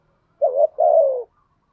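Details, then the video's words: Spotted dove decoy giving one phrase: a short wavering note followed immediately by a longer, even coo that gently falls in pitch. "chim cu mồi thúc gù bài bản, chim cu gáy đẹp mã hót hay. chim cu gáy kích bổi nhanh nổi gù"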